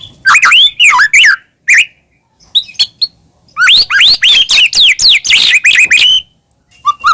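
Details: Medan-type white-rumped shama in lively full song, used to stir other shamas to answer: rapid sequences of high, sweeping whistles and trills, a short broken phrase midway, then a long dense run of bright looping notes.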